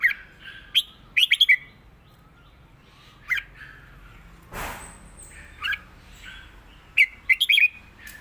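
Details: Red-whiskered bulbul in 'rik' and southern 'mae bot' song style gives brisk, chirpy warbled phrases in bursts, with a brief rushing noise partway through before the notes resume.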